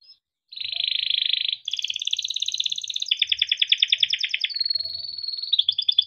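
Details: Caged yellow canary in full long song meant to tutor young birds: a dense buzzy roll, shifting into fast rattling trills and a thin sustained note, ending in quick repeated phrases.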